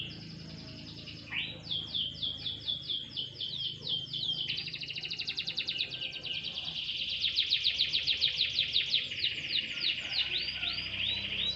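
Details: Canary given a light sunbath: repeated falling whistled notes build into a fast, buzzy, rattling trill that grows louder toward the end, then ends with sweeping slurs.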